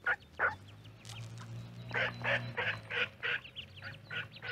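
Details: Quieter mallard quacks from a microphone near corn, where baby ducks are kept: a few scattered harsh notes, then a rhythmic string of nasal quacks over a persistent low droning hum.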